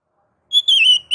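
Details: Brief ngeplong-style song of a kacer (oriental magpie-robin), used to urge other kacer to sing: a clear held whistle followed by a long slurred whistled note and the start of another.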